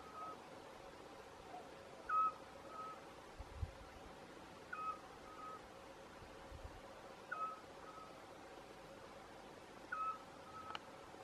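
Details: Eurasian scops owl (Otus scops) calling at Arneiro, Nisa, Portalegre: a single short, clear whistled note about every two and a half seconds, with a faint low rumble in the background.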